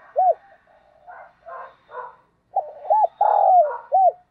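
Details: Decoy spotted dove cooing each morning to lure wild birds: a clipped coo, soft husky notes, then a burst of loud hooked coos with one long sliding note.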